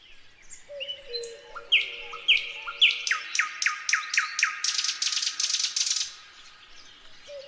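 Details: Nightingale singing: a few long, steady low whistles, then loud sharp notes repeated faster and faster, ending in a rapid buzzy rattle of high notes before a quiet whistle returns.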